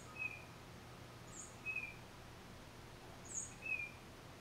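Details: Tufted titmouse alone, captured with a Nikon D3500 and 500mm lens: short lower whistles and very high thin notes in loose pairs, three phrases in a few seconds, over quiet background hum.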